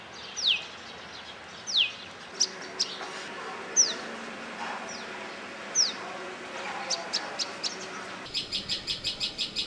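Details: A Common tailorbird (Orthotomus sutorius) in Rajasthan, India, calls with loud, sharp, high sweeping notes about every two seconds, ending in a quick run of short repeated chips, over a low steady background hiss.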